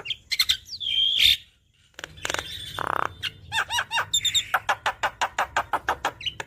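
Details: Javan myna in full chattering song, used to stimulate a bird that will not sing: sharp whistles, a long rasping burst, then a rapid series of clicking, ticking notes with short squeaks, above faint hum.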